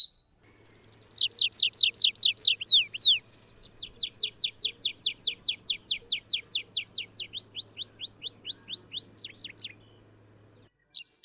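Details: Wild Atlantic canary (Serinus canaria) delivering a long song: a fast trill of descending whistles, then a steady run of rising sweeps, then slower spaced hooked notes, with a faint low hum throughout.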